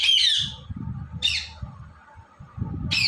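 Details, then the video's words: Indian ringneck parrot, shown talking and dancing, gives two harsh, high, noisy squawks with a pause between them, then starts a third at the end, over a steady low rumble. "Ringneck Parrot Talking & Dancing Video"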